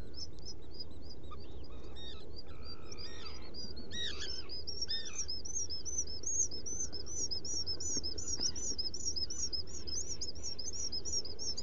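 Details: From a nest burrow on Seal Island NWR, Maine, a burrow camera catches Black guillemot sounds on 30 June 2018 near 2 a.m.: rapid high upslurred chirps repeated many times a second, with a few lower harmonic notes early, over dull background rumble.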